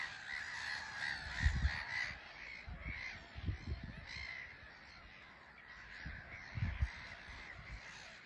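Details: Colony of black-headed gulls on a small island at Frampton Marsh, birds coming and going; continuous raspy squawking from many gulls, broken by several loud low thuds and rumbles.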